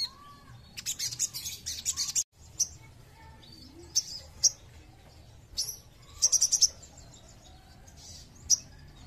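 A Crimson Sunbird gives very high, thin chips and fast buzzy trills in short bursts a second or two apart, over faint background hiss.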